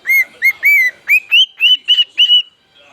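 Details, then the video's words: A pet bird sings a short run of about eight clear whistled notes. The first notes are level, and later ones rise and climb higher, each rich in overtones. The phrase ends with near silence. "my singing bird"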